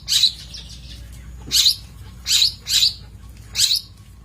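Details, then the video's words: Long-tailed shrike in a master recording for training birds, giving five harsh, buzzy, high-pitched bursts, some in a quick pair, spread over about four seconds with faint background hiss. "Masteran Cendet / Kicau Cendet"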